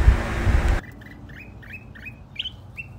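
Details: A mountain red-whiskered bulbul, released outside the cage, keeps returning to attack a caged bulbul despite being shooed away. It gives short, bright, slightly rising chirps several times a second after a burst of loud rustling noise.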